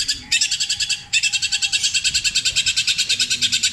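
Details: Mimicry song of a long-tailed shrike with kingfisher, kuntilanak and sparrow material, petir style, long and repeated. A short pulsed burst, a pause, then a long, rapid, rhythmic rattle of harsh notes.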